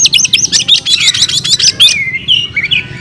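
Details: Oriental magpie-robin (kacer), a caged songbird, in full fighting song: rapid bursts of sharp high chirps and buzzy notes, then slurred descending whistles, with low steady background hum.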